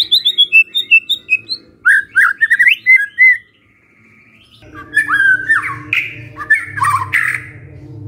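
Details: White-rumped shama lure song to prompt answers from other shamas: quick descending high notes and rising whistles, then harsher excited phrases over a steady low electrical hum.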